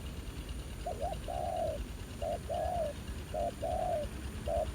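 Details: Male spotted dove responding keenly to a decoy on the ground in rural fields, returned to after a year: repeated two-part coos, a brief clipped note then a drawn-out lower coo, about four phrases in close succession.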